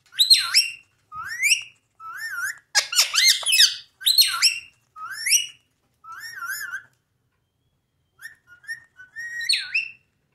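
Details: Ring-necked parakeets talking: a busy run of loud, harmonic, speech-like warbles and squawky phrases that wobble up and down, with short pauses and a dense chattering burst near the middle.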